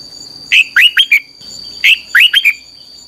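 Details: Lure-bird song of a red-whiskered bulbul for voice training, 'căng lửa' style: two bursts of about four bright slurred whistles each, rising then falling, a second apart, with a thin constant insect-like tone behind.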